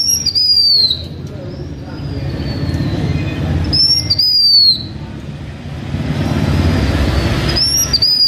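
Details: Blue-winged minla singing as a decoy bird: three high, thin whistled phrases, each gliding slightly downward, spaced roughly four seconds apart, with a constant low rumble underneath.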